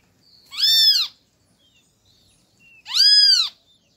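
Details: A great kiskadee from a family feeding at a feeder in an acerola tree gives two harsh, nasal, arched calls about two seconds apart, each lasting half a second, with faint chirps between them.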